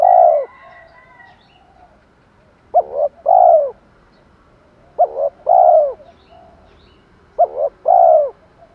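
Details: Decoy spotted dove calling to lure wild birds, 'thổ' style with 'pha thúc đấu' phrasing: one trailing coo, then three evenly spaced phrases of a brief double note and a sustained falling coo.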